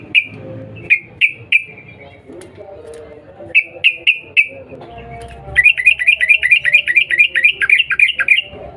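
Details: Sooty-headed bulbul (trucukan), cuk cuk calls used to provoke a quick reply: short clipped notes in small groups of two or three, then a steady run of rapid, evenly repeated bubbly notes over the last three seconds.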